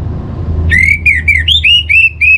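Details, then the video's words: Orange-headed thrush, recorded as a lure for kept birds: a bright run of loud slurred whistles, each note sweeping up then dipping, delivered quickly one after another over a faint low hum. "Trbaik Buat Pancingan Burung ANIS MERAH Agar Gacor"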